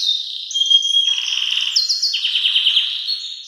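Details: Very loud Belgian canary song for teaching young birds: a sustained high whistle running into a fast buzzy rolling trill, with crisp repeated chip notes layered on top.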